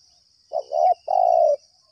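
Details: Spotted dove calling in answer to a lure during trapping: a short two-part coo followed by a longer, even, hollow coo, with a steady high-pitched tone running behind.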